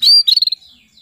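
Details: Female canary calling the male, a lure meant to stir males into song: a bright, high, slightly falling note followed by a quick run of five or six clipped chirps.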